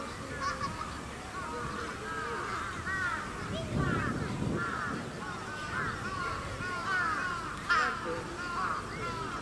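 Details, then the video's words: Grey crowned cranes at Chiba Zoological Park, Chiba Prefecture, Japan, recorded 20 October 2018: repeated honking, arched calls in a steady series over a busy background of murmuring and ambient noise. "ホオジロカンムリヅル (千葉市動物公園)"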